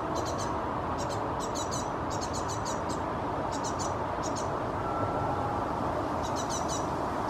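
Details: A great tit fledgling hopping in a tree in Helsinki, Finland, in July 2017 gestures with its wings, parent nearby. It gives thin, very high chirps in quick bursts of three or four, about every second, over a low rumble.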